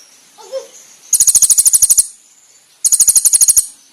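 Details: Brown-throated sunbird (konin) training master: two separate bursts of fast, sharp, very high repeated notes, each about a second long, with a faint low sound and a quiet pause between them.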